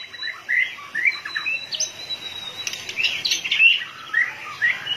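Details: Aroused white-rumped shama, tail flicking rapidly, gives scattered whistled notes and slurred phrases with a few sharp higher chips. Faint background chatter is also audible.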